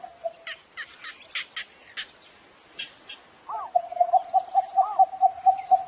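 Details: Morning call of a cinnamon bittern. Scattered chirps and clicks come first, then a rapid string of uniform mid-pitched notes repeating several times a second, with a brief looping note overhead.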